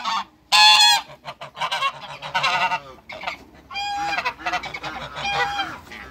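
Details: A pair of African geese in a backyard alongside other waterbirds, giving loud, harsh, nasal honks in short bursts, with a blaring burst near the start. Softer, low, arching coos from other birds run underneath.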